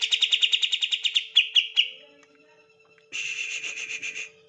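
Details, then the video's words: Caged green leafbird delivering 'tembakan' rapid song to spur other birds into singing: a long fast train of high piping notes slowing into separate chips, silence, then a buzzy rapid burst, with a faint constant hum. "PANCINGAN TEMBAKAN CUCAK IJO"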